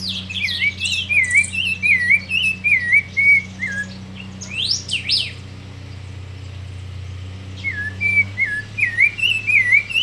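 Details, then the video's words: Young thrush, raised by hand, sings perched in the hand: two bursts of looping whistled warbles with high chirpy flourishes between them, a quieter pause in the middle, and a constant low electrical hum beneath. "Zorzal pichon criado ah pico cantando en mano"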